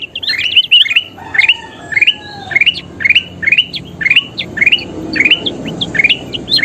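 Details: Kutilang emas bulbul, a recording meant as a model for training kept birds to sing more often: bright, sharp chirped notes rising and falling, repeated in quick clusters about twice a second, with a faint low background rumble.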